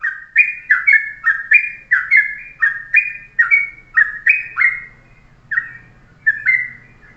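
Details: Yellow-vented bulbul singing in the morning, a short, tight-phrased master song for tutoring birds: quick, bubbly, slurred notes repeated about twice a second, with faint low hum beneath.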